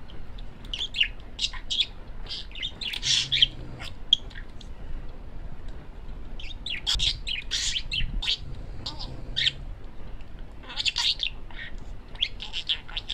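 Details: Male pet parakeet chattering: bursts of rapid high chirps, squeaks and warbled notes in three bouts separated by short pauses, with a faint low hum underneath.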